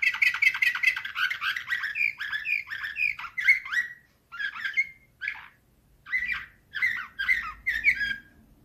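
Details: Slavujar-style canary singing like a nightingale: a dense rapid trill opens, then rising slurred notes, followed by separate short buzzy bursts spaced by pauses.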